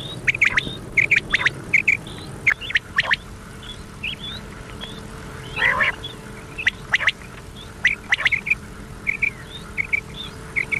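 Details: Common quail on an old cassette for night playback: short bright notes in tight pairs and triplets, repeated throughout, with background hiss and occasional loud clicks.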